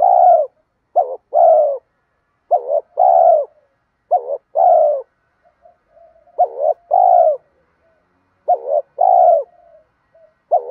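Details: Male and female spotted doves cooing, played to push lazy birds to call; repeated bursts of a quick double note and a long full hoot, about six phrases, faint low murmurs between.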